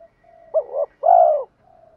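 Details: Spotted dove decoy calling to lure rival males: a wobbling double coo immediately followed by one long, rich, slightly falling croon, over a soft continuous low drone.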